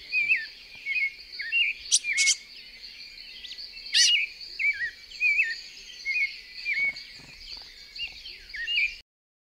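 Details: Cherrie's tanager, very common in a yard in Puerto Armuelles, Panama, gives short, sharp chipping notes, repeated every half second or so, over a steady high insect drone.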